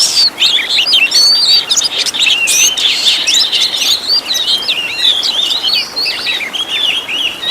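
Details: Oriental magpie-robin singing a rich master song with many fill-in phrases, meant for training caged birds: dense, continuous, high whistles and twittering flourishes, quick slurred notes tumbling up and down without pause.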